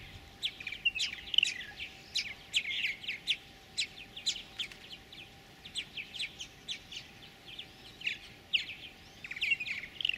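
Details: Purple martin chicks in a gourd nest, fed by both parents at a colony of over 100 pairs near Lacombe, Alberta, Canada, 2017; continuous sharp high chirps and scratchy notes in irregular bursts over a steady low hum.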